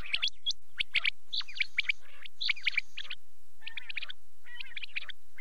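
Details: Quail calling at night: bursts of sharp high chirps in tight clusters, followed by softer, wavering chattering notes toward the end.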